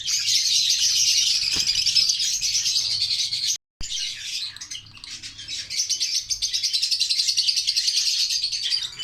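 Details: A breeding male and female pair of parrots, with albino cockatiels also present, keeps up rapid high chirping chatter, briefly cut off, then resuming as quick pulsed chirps, over a faint low rumble.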